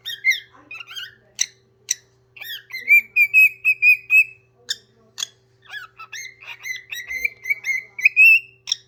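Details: Singing parrot kept as a pet, delivering rapid clicks and chirps followed by long level whistled phrases that waver and rise slightly, repeated in bursts over a low constant hum.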